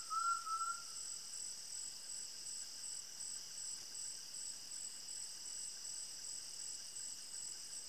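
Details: Undulated tinamou, also called jaó, gives one clear, slightly rising whistle lasting about half a second at the start. Steady, dense insect buzzing and cricket trilling continue throughout.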